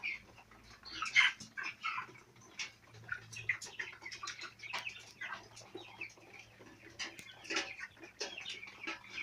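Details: Group of four-week-old farm chicks peeping intermittently: bursts of short high cheeps and scratchy clicks, with quieter pauses and a low humming machine sound underneath.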